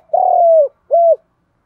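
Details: Spotted dove singing in the đồng pha style, a song meant to set wild doves cooing: one long, slightly rough, level coo that falls at its end, then a shorter clean coo after a brief pause.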